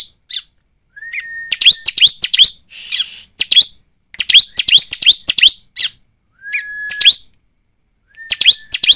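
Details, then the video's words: Bar-winged prinia song used as a lure to get the bird singing: bursts of sharp, high chirps descending in quick runs, broken by long, flat, steady whistled tones and a short buzzy rasp. "Pancingan ciblek agar bunyi dan cepat gacor || ciblek gacor ( suara ciblek)"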